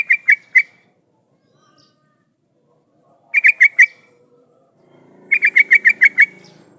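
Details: Lure sound of an actively singing yellow-vented bulbul (trucukan), meant to make other bulbuls answer: short bursts of three, four and then seven punchy notes, with a soft low murmur toward the end.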